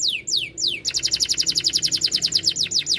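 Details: Domestic canary with a powerful, hard-edged song in constant singing form. A few long descending whistles open into a fast, even rattling trill of short falling notes, roughly eight per second.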